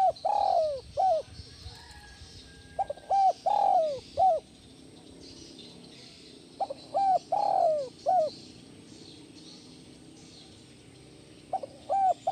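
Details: Spotted dove cooing, played to calm stressed captive doves: repeated phrases of short coos around one longer, wavering coo, several phrases with pauses, over a steady hiss and a high insect-like drone.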